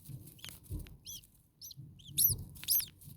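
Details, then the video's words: Baby starlings in nest 2 on day 2, very hot, the mother bird nearby calling; scattered short high chirps and buzzy notes, growing louder with rapid paired bursts toward the end, some low thumps and rustling. "Starling baby birds very hot. Day 2 Nest 2. Mama bird was close by making some noises."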